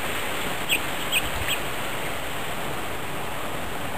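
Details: One of several grosbeaks feeding together on New Year's Day 2010 gives three short, sharp chip notes about half a second apart, then only steady background hiss.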